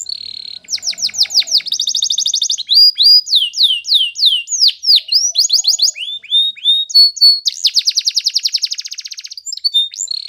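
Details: Canary training song: dense high trills, then a series of loud curving whistles, buzzy rolls and rising notes, ending in a long fast rattling trill.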